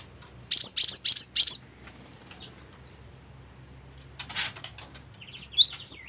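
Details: Cinereous tit (Parus cinereus) song with varied phrasing: a quick run of four high, sharp notes, then a soft flutter and a burst of squeaky, twisting notes; low hum underneath.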